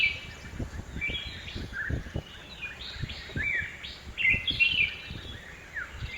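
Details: Red-whiskered bulbul, a crested bulbul, heard in a home garden in Hosur: loud, lilting three- or four-note whistled phrases, clear and musical, given several times over a few seconds with faint low background rumble.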